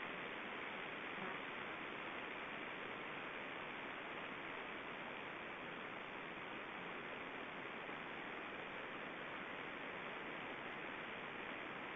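Steady, even broadband hiss throughout, with no animal voices.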